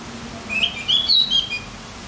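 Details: Javan grey-throated white-eye, recorded to stimulate other birds, gives a short bright twittering phrase of quick high whistled notes that climb then settle, with soft hum underneath.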